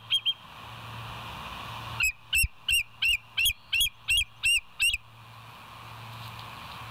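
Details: Bald eagle at the West End nest, live cam footage from 22 July 2023 at 05:06: two quick high squeaks, a pause, then about ten evenly spaced piping chirps before quiet hum returns.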